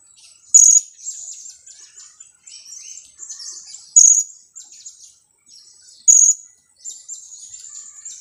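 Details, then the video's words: Young blue-crowned hanging parrot, two weeks old and used to lure others, uttering loud shrill kiak notes about every two to three seconds, each followed by softer rapid high twittering. "junior KIAK²...usia 2 minggu"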